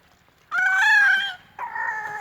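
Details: A young rooster kept in a home henhouse crows: a loud, harmonic, drawn-out first note, then after a short gap a lower, steadier second note, the whole crow lasting under two seconds.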